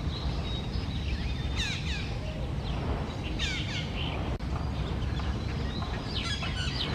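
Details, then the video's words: Red-breasted parakeet calling: harsh, squawky descending notes in short bursts, repeated a few times over steady low rumbling background noise. "Red-breasted Parakeet.ကျေးကုလားမ"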